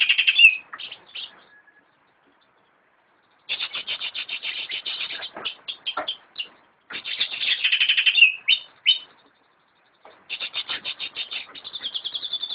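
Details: Captive greater green leafbird from a friend's collection delivering bursts of fast, stuttering chatter separated by silent pauses, each burst mixing rapid repeated notes with sharp slurred whistles.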